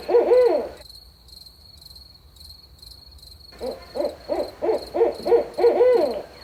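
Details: Barred owl (Strix varia) hooting at night: a quick run of about seven deep, rising-and-falling hoots ending on a drawn-out note, over a steady high insect hum.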